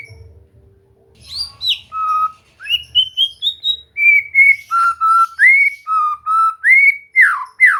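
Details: White-rumped shama (murai batu) song used for relaxed training so a bird will sing: after a faint low rumble, clear whistles climb stepwise, then steady repeated whistled notes end in sharp downward slurs.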